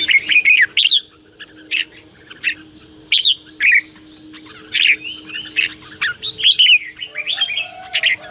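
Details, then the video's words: Red-whiskered bulbul singing ché fighting song to provoke wild birds and train decoy birds. Clear, bubbling whistled phrases break up into separate chirps every second or so, over a constant faint high tone. "CHÀO MÀO HÓT GỌI BỔI CHÉ CĂNG ĐÉT QUÁ HAY - KÍCH CHIM NHANH CĂNG LỬA"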